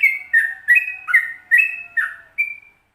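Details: Yellow-vented bulbul singing a quick burst of ringing whistled notes, stepping up and down, ending on a clear held note; 'ropel panjang' training song for caged birds.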